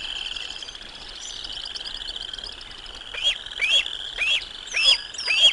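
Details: Bald eagles at their nest in Decorah, 6 May 2022, as an adult brings lunch to the eaglets. A steady high drone fills the first three seconds, then sharp, high, descending chirps repeat about every half second.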